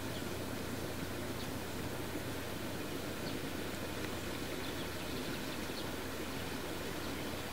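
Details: Dense broadband rushing noise with an engine-like low rumble fills the whole recording, with no animal call.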